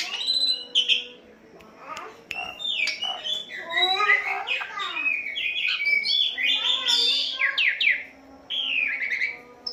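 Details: Asian pied starling in full, energetic song used as training audio for captive birds: a dense run of varied whistles, rasps and chattering notes, with rising and falling slurred phrases and brief pauses.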